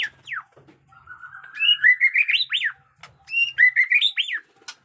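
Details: White-rumped shama singing: two falling whistled notes, then a gradually rising whistled run that ends in loud looping upslurs, repeated as a second similar rising flourish.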